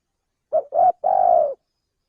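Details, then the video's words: Male spotted dove in Indonesia giving a lure call for luring birds: two quick low coos followed by a longer tremulous note that sags at its end. Clean, quiet background. "suara pencingan burung tekukur belajaran pikat auto langsung bunyi"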